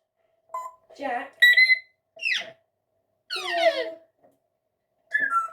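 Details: A rescued female Congo African grey parrot gives five short bursts of mimicry, rough cough-like rasps, clear whistled notes and falling squeaky slides, imitating coughs, burps and farts.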